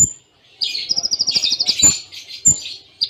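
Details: Kolibri Ninja tembaan in the Cililin style: a buzzy opening followed by a rapid, evenly beaded high trill, then a harsher scratchy phrase, with occasional low thumps.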